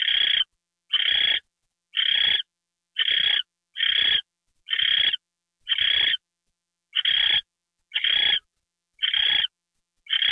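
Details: Owl given a mouse treat on a live camera, evening of January 28, 2013; loud rasping hisses in a regular run, about one per second, each short and noisy.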